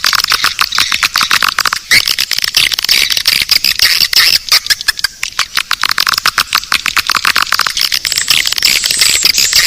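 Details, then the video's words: Naga Birahi call for attracting swiftlets: a dense, hissing mass of rapid clicks and twitters with only faint high whistled traces, sustained without pause across the whole stretch. "Sp. Naga Birahi, Suara panggil burung walet"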